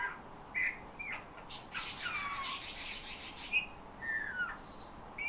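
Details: Owner-trained Eurasian bullfinch that copies its keeper's whistle and borrows phrases from nightingales and thrushes. Piping whistles and gently falling glides alternate with scratchy, rasping bursts in a loose, unhurried sequence.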